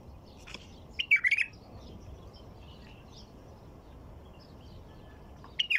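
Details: White-eared bulbul singing: a short bubbly, warbled phrase of four quick notes around one second in, then a brief start of another phrase at the very end, with quiet background in between.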